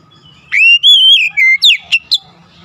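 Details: Oriental magpie-robin singing as a lure to get other magpie-robins singing: a short run of clear, loud whistled notes, a long wavering rising-and-falling whistle, then sharp quick upslurred chips, over a faint steady hum.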